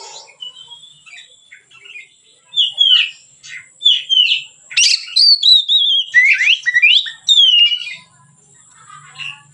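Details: Relaxed song of a white-rumped shama recorded as a lure for training birds; soft opening notes build into loud whistled phrases, warbling and swooping, with a faint low hum at the end.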